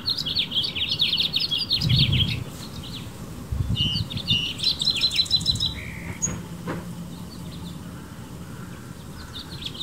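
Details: A male House finch perched on a branch in a California backyard garden under blue sky sings a fast, jumbled warble of bright high notes in short bursts to call females, with low wind rumble and a faint second bird nearby.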